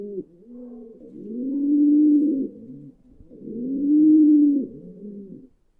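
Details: Low murmuring coos from a pigeon, a short soft note followed by two long swelling rolling phrases roughly two seconds apart.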